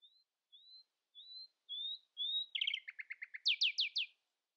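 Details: In early morning a common nightingale sings against rivals: five drawn-out rising whistles, each louder than the last, then a quick stuttering rattle and four loud, sweeping, ringing notes.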